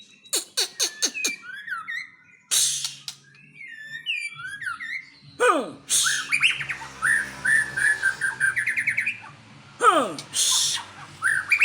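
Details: Aceh-type white-rumped shama unloading its isian repertoire: rapid clicks, then rising and falling whistled slurs and long runs of bright chattering phrases, with a broadband rasping burst near the end.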